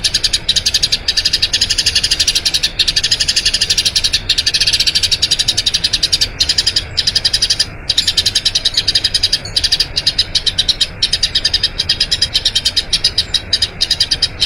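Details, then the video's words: Long rolling song of a Eurasian tree sparrow, recorded to train other birds: dense, rapid high chirping that runs on for the whole stretch, broken only by a few very short pauses. "Masteran Burung Gereja Ngerol Panjang"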